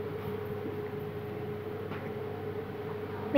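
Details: A steady low hum with a constant tone and faint broadband noise, like an engine or machinery running, with a brief sharp click at the very end and no animal voice.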